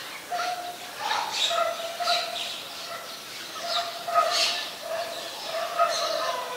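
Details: In Ubon Ratchathani, Thailand, 26 December 2020, a white-vented myna gives bursts of harsh, nasal harmonic notes and scratchy chirps, grouped in short phrases separated by brief pauses against faint outdoor noise.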